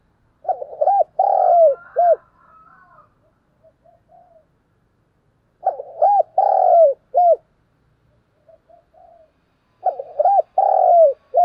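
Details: Spotted dove coo used as a lure call for other doves, a phrase of low coos around 500–900, with a short note, a long slightly falling coo and a closing note, repeated about every five seconds, with faint softer notes between phrases.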